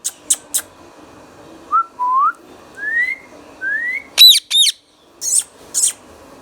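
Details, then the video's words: Indian ringneck parakeet, green pet talking parrot: faint clicks and chirps, four upward-slurred whistles, two loud shrill squawks, then two raspy chirps. "Indian Ringneck Funny Parrot Sounds"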